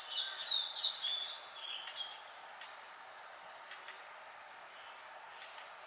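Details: Yellow-throated Bunting singing a late, mournful song at the end of a difficult breeding season in quiet woodland. A brief burst of high, twittering and tinkling notes opens, followed by single thin, sharp high notes spaced about a second apart over a faint hiss.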